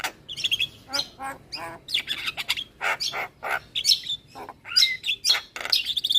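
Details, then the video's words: Javan myna singing a lure song crammed with fill-in phrases, husky chattering notes alternating with shrill squeaks and whistles, delivered in quick uneven bursts. "Semua Burung Jalak Seketika Nyaut Dengar Pancingan Jalak kebo Full Isian Ini"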